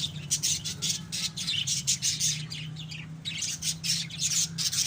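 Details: Pet lovebirds keep up shrill, harsh chattering and squawks in dense overlapping bursts, with a steady low hum underneath.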